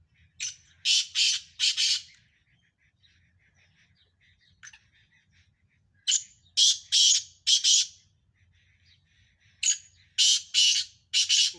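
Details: Sindhi black francolins, five birds calling in a hard-fought contest: harsh, rasping phrases of three or four grating notes, three phrases about three to four seconds apart, with faint low hum between them.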